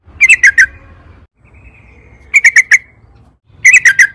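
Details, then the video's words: Yellow-vented bulbul singing in excited bursts to draw other bulbuls into song: three short clusters of three or four quick, bright bubbling notes, separated by brief pauses with a faint thin whistle and low background rumble. "trucukan gacor EMOSI ROPEL PANJANG PANCINGAN TRUCUKAN AGAR BUNYI"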